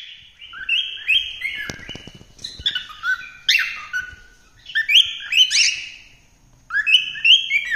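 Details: Cockatiel singing melodiously: a busy run of whistled notes and chirps, some sliding down, in bursts with short pauses between them.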